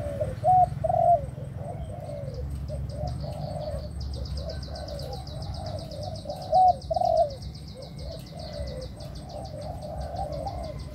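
A pigeon gives low, throaty coos in short bursts, roughly two per second, over a high buzzy chirping from other small birds and a low background rumble.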